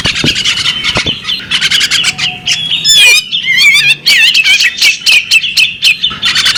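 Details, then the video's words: Female bearded magpie robin with fast chattering notes that give way to wavering, warbled whistles and buzzy trills, then return to quick chirping. "the alluring sound of a female bearded magpie robin"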